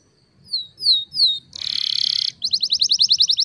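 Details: Canary song used as a pancingan for canaries that have stopped singing: three slurred descending whistles, a dense shimmering buzz for nearly a second, then a quick run of rising chipped notes, over faint low background hum.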